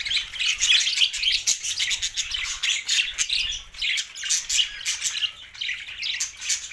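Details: Budgies chattering together in a busy stream of high, scratchy chirps and short squawks, overlapping irregularly throughout.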